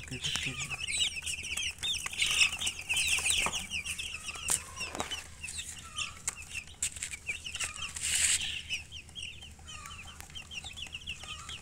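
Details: Several baby chicks cheeping continuously, dense clusters of thin, high, quickly repeated peeps that swell around the middle and later in the clip, with low hum beneath.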